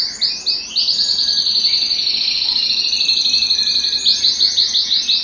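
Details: Canary singing at home, excited and wanting to mate, in a song-training recording: high sweeping notes opening into a sustained rolling trill, ending in rapid repeated chirps.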